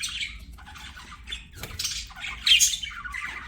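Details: Budgerigars singing while playing: scratchy, squawky chatter with buzzy bursts and a brighter squeal after two and a half seconds, over a low background hum.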